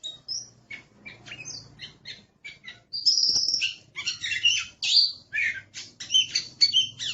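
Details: Aggressive master song of an Oriental magpie-robin (kacer): varied sharp whistles and chirps, quiet at first, then louder and denser after three seconds, with rich buzzy phrases repeated rapidly.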